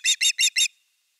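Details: Osprey on the nest, evening of 30 August 2021 with fish: four rapid, shrill, whistled chips in under a second, evenly spaced and equally loud.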